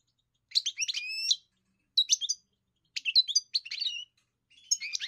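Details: European goldfinch song from a kept, song-trained bird: a twittering phrase ending in a drawn-out whistled note, then three shorter chattering bursts spaced about a second apart, quiet surroundings.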